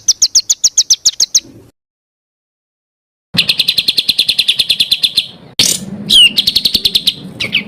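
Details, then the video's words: Songbird tutor recording of richly varied bird song: a short run of high ringing notes, a sudden gap, then a long fast rattle of repeated chips broken by sharp sweeping whistles. "BURUNG FULL ISIAN TEMBAKAN"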